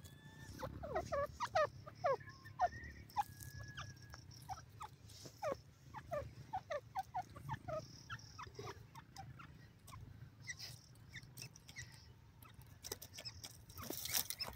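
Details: Francolin (teetar) calls from a gathering of types that includes the Dakhani teetar, or Black Francolin: short, sharp, harsh notes in rapid, irregular clusters, with several birds overlapping, over a low steady rumble.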